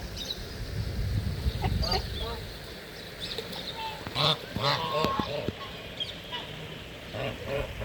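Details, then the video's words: Geese honking while playing in the water of a garden pond at Tehran Bird Garden, Iran, among ducks; a burst of loud nasal honks, several in quick irregular succession around the middle, with background voices and water noise. "Ducks and geese playing in the water"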